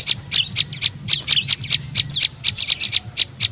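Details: Prenjak lumut, an Indonesian tailorbird, in a lure call used to attract birds: sharp high chirps and short downward-slurred notes, about two per second, irregular, with a low steady hum underneath.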